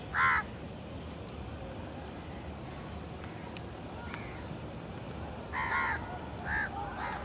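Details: Indian house crows feeding in a crowd in a village and fighting over food; one loud harsh caw at the start, then after a quiet stretch a quick cluster of three raspy caws near the end.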